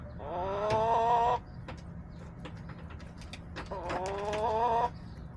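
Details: Backyard chickens recorded on March 30, 2024: two drawn-out, harmonic, slightly rising calls, each about a second long and separated by a pause filled with quieter clicks and scuffs.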